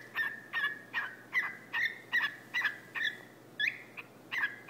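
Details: Male whiteface lutino cockatiel, a house pet, barking at a person's foot after climbing down a couch: rapid harsh clipped notes about every third of a second, each with a brief whistled trailing tone.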